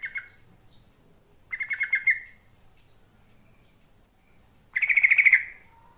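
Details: Yellow-vented bulbul song for luring birds to reply: three bursts of rapid liquid, bubbly notes, the last loudest and fullest, with short quiet pauses between.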